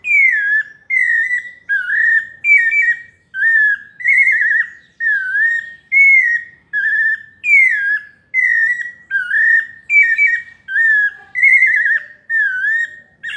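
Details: Long run of clear whistled phrases from a pale-breasted thrush in paulista song style, each about half a second, falling or warbling slightly, repeated steadily with short silences, very quiet background.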